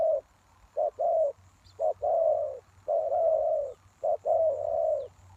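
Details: Spotted dove calling as a lure to attract wild doves: mellow low coos, short notes alternating with long, drawn-out croons, the phrasing slightly irregular, with a faint high chirp.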